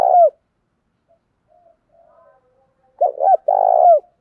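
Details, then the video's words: Spotted dove used as a decoy to draw in wild doves, cooing in a low voice. A drawn-out coo ends, then after a near-silent gap with faint murmurs comes a phrase of two brief coos and one long, slightly rough coo. "Tiếng chim cu gáy thúc bảo đảm bổi nghe gáy liền, chim cu gáy mồi đảo bài liên tục"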